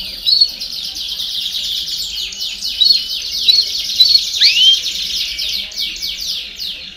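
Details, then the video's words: Canary song used to stimulate young birds to sing faster, a noisy mixed chorus: continuous high rolling trills of fast descending notes, with clear whistled upslurs and one sharp rising sweep midway. "Baderna de Canario Do Reino Canto Para Estimular Filhotes a Cantar Mais Rápido"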